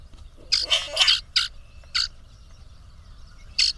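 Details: Rival male grackles puffing up to out-impress a female give a loud, scratchy rasping burst followed by three shorter harsh squeaks at uneven gaps.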